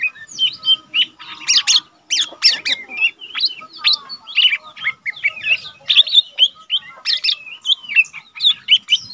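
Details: Young untrained lesser green leafbird, a cage bird used as a tutor for other leafbirds, singing often: a busy stream of sharp whistled notes, slurred chirps and harsh squawky bursts, mostly high-pitched, with short pauses between phrases.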